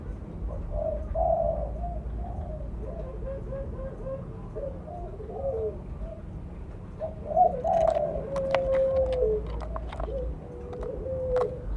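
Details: Spotted dove of the mottled blorok variety, a lure call: a string of quieter, mellow coos, then a clearer falling coo and a long level note, over a low rumble with sharp clicking noises in the second half.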